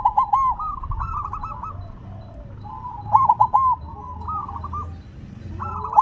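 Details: Placed on the ground, a silver zebra dove keeps singing: phrases of rapid, rolling coos recur every two to three seconds, the loudest in the middle, with softer trilled phrases between.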